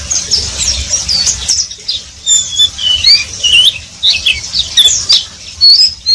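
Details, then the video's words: Oriental white-eye giving its ngeriwik twitter: scattered high, thin squeaks and slurred chirps, less dense and somewhat softer, over a low background rumble. "Pleci wiklus"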